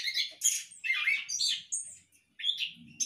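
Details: Short burst from a captive Orange-headed thrush in a hanging breeding cage: harsh buzzy chirps and whistles, a brief gap, then more high notes.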